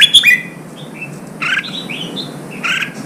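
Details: Red-whiskered bulbul, newly caught wild bird, singing while kept for training for singing contests: short whistled notes and chirps, some sliding or buzzy, in scattered bursts with pauses between.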